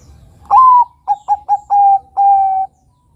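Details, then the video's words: A young zebra dove (Bangkok perkutut) sings a clear, mellow cooing phrase: a rising opening note, three quick short coos, then two longer drawn-out coos on an even pitch. "Pancingan Suara Burung Kutut Perkutut Bangkok Gacor"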